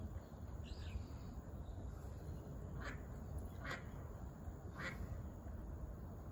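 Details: Common kingfisher along the Zenpukuji River, Japan, recorded on a smartphone with a telephoto lens: a few thin, sharp high call notes, one near the start and three spaced about a second apart midway, over heavy low background rumble.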